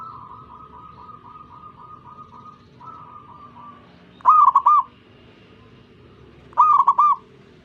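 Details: Zebra dove singing to invite other zebra doves to join: first a long, quiet series of evenly spaced soft coo notes, then two louder, bubbling warbled phrases about two seconds apart.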